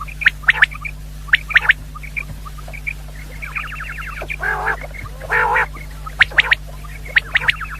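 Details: Common quail lure calls for hunting: thin, sharp notes in clusters of two or three, a brief rattling trill, and two coarse, buzzy calls, all over a steady electrical hum.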